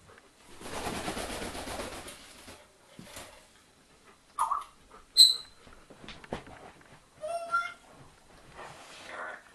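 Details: African grey parrot indoors, talking to two dogs: a noisy, hissing passage, then separate short sounds including a bright pure whistle, a rising harmonic squawk and a quick run of chirpy notes, with quiet gaps between.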